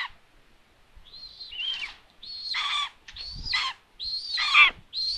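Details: Common buzzard calling at its nest in Tiszalök, Hungary, on a June day of food delivery: loud, strained mewing cries, each holding a high note then sliding down, roughly four in five seconds, with some low rustling.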